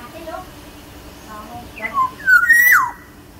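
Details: Soft background voices, then a Sumbawa Black-naped oriole with a big body whistles a fluty phrase of quick falling notes and a loud sustained tone ending in a steep downward slide.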